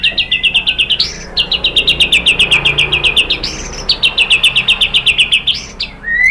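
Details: White-rumped shama song for provoking captive birds to sing: fast trains of short high notes, about four per second, broken by loud upward-sweeping whistles, with a final rising whistle at the end.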